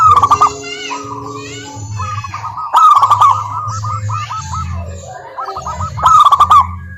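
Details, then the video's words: Several local zebra doves singing as a lure for silent doves: loud bursts of fast stuttering coos every few seconds, separated by quicker trilled coo runs from other birds, with a constant low droning hum beneath. "Perkutut Malas Bunyi dijamin NYAUT GACOR LANGSUNG dengar pancingan masteran Kutut lokal ini"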